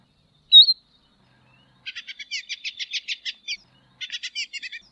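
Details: Tropeiro seedeater: one sharp high note, then a softer run of quick, evenly spaced buzzy chirps in two bursts.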